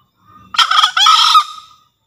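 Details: Lure crow of a Javan green junglefowl, meant to encourage newly trapped or lazy birds to call and to attract birds in forest: a soft lead-in, then a loud rasping two-part crow ending in a fading tail.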